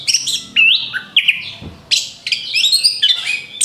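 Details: Song of an orange-headed thrush intended to lure other birds: varied loud whistles, looping slurred notes and harsh chips in quick succession, with faint low background noise.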